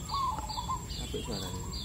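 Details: Wild zebra dove recorded while trapping for a big-voiced bird near Timbun village, Randublatung, Blora, Java, calling repeatedly; it gives short, soft, mellow cooing notes over steady background noise, with faint high chirps and a man speaking.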